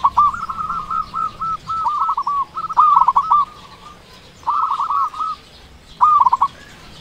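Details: Local Indonesian zebra dove (perkutut) with a big, loud voice, used to lure doves that are slow to call. Rapid stuttering coos around one pitch come in bursts, with pauses near four and six seconds and faint low hum beneath.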